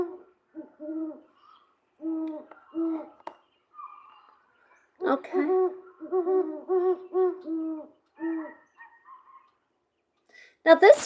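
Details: A Great Horned Owl, a Vermont bird, hoots: deep, muffled notes in short stuttering series, with a denser run of overlapping hoots midway and a faint click at the end.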